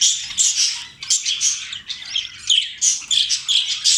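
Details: Budgerigars, a female feeding crop milk to a chick only minutes old, chatter in a busy stream of scratchy, warbling chirps and squeaks.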